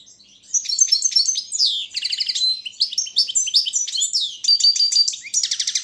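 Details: Competition song of a Balkan goldfinch, Carduelis carduelis balcanica, entered in a world championship held over the internet: a fast, unbroken run of bright chirps, nasal buzzes and rattling trills, all high-pitched and clear.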